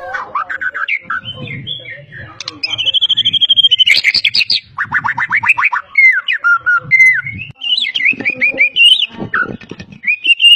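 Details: White-rumped shama, a champion Medan competition bird full of mimicry, singing slurred whistles, a long trill, buzzy rattling bursts and varied imitated notes.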